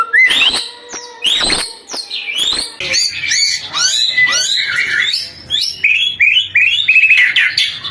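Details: White-rumped shama singing as a lure for morning and evening, a loud, dense and continuous stream of varied sweeping whistles, harsh notes and rapid chattering phrases.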